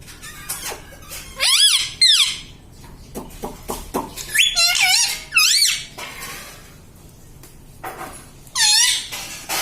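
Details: Pet parrot in a small room, kept to talk and say mummy and papa, gives sharp squeaky calls with bright rising-falling arcs, several bursts and clusters spread over ten seconds, with quiet room hum behind.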